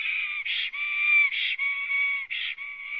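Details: Black stork singing a long song on arrival at its Latvian nest, evening of 9 May 2017, from a live nest camera: drawn-out steady whistles broken by short, harsher bursts roughly every second, with a lower tone underneath.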